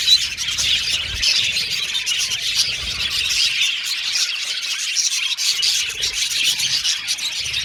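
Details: Australian pet budgies singing with sweet chirping, steady overlapping high-pitched warbles and short chirps pulsing rapidly, with a quiet low hum underneath at times.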